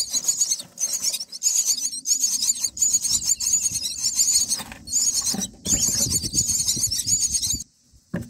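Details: Baby mynas in a nest, ninth day, fed black crickets by a parent: a near-continuous stream of scratchy, high-pitched begging bursts over low rustling, stopping abruptly near the end.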